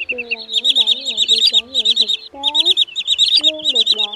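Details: Sandpiper calls for luring migrants into night nets, August 2023 trapping season: bursts of quick, shrill, stuttering notes in short runs, with a lower voice underneath that gives looping, bending whistles rising and falling.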